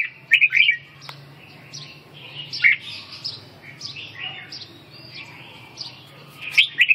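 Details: Red-whiskered bulbul giving brief rich whistled phrases with quieter slurred notes between louder bursts, a steady low hum underneath.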